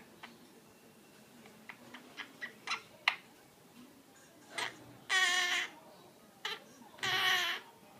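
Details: Pet monk parakeet (quaker) filmed in May 2013 after a bath, talking: soft scattered clicks and short notes, then two loud harsh, raspy, harmonic bursts about two seconds apart, each lasting around half a second.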